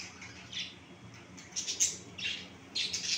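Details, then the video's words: Finches kept for breeding giving short, high, bursty chirps, about four brief calls scattered over three seconds, above a steady low background hum. "Finch bird sound"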